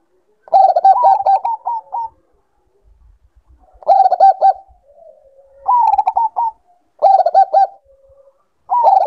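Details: Zebra dove, Bangkok type, in recordings to stimulate breeding condition: five phrases of low, fast, stuttering coos, each a rolling run of looped notes, separated by pauses of one to two seconds with soft low murmurs between.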